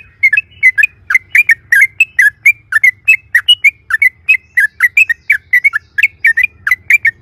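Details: Rapid, continuous 'ropel' singing by a sooty-headed bulbul, used as a lure to make other birds answer: dense bubbly chirps with quick up-and-down slurs, about three per second, over a low hum.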